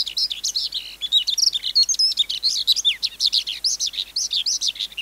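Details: Adult wild-caught skylark delivering high warbled phrases, including clear thin whistled slurs around the middle, each note short and rapid, song steady and unbroken.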